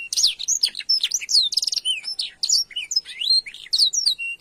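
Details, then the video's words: Canary giving a kenari isian master song: rapid, tumbling high whistles and downward slurs with brief trills, delivered without pause, bright and loud. "Masteran Burung kenari isian |Suwara gacor nembak panjang"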